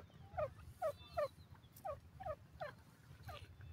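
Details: Grey francolin uttering sharp, falling notes roughly every 0.4 seconds, each with a bright overtone, against a low rumbling background.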